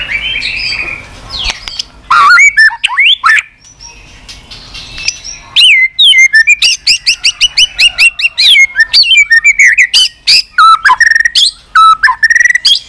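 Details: White-rumped shama, a kept bird, giving continuous 'tạch' song used to stir other shamas into form: after a soft start, loud varied whistles sweep up and down, then rapid runs of sharp repeated notes and slurred phrases fill the rest.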